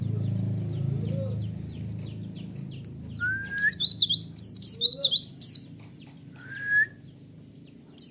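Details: White-eye lure song used to provoke a response: faint distant chirps at first, then a loud cluster of sharp, high, down-slurred twittering notes with a few lower whistled slides in between, over a quiet low hum.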